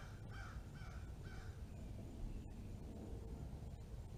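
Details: A red-bellied woodpecker fledgling gives three harsh, slightly nasal notes about half a second apart, then falls quiet over a steady low rumble.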